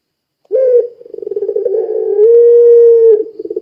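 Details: Pelung-type Barbary dove cooing strongly, intended to spur other doves to call: a sharp opening note, a quick throbbing roll, a sustained level hoot of about a second, then pulsing resumes at the close.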